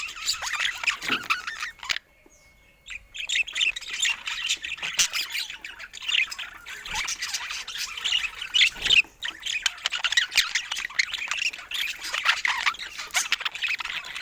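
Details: Several pet budgerigars playing together, giving dense, continuous chattering and squawky chirps in a busy overlapping stream, broken by a short quiet pause near the start before the chatter resumes.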